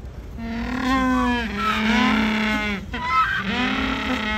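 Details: Loud penguins giving long, harsh, strongly harmonic braying calls in drawn-out wavering blasts, one after another with a short break, filling the clip.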